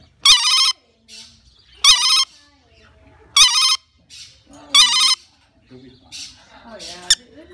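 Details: A 7-year-old rainbow lorikeet copies a telephone ring: four bright, warbling trills about one and a half seconds apart, then softer, scratchy chatter.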